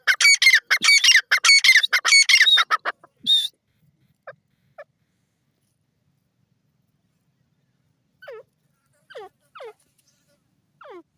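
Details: Grey francolin, locally called desi teetar, calling: a rapid run of loud, harsh, strongly repeated notes lasting about three seconds, then quiet, followed by a few soft, scattered downslurred notes.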